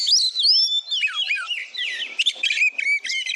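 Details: Kacer, or Oriental magpie-robin, singing vigorously as a song tutor: bright sweeping whistles, downward slides, and short rasping notes follow each other without pause.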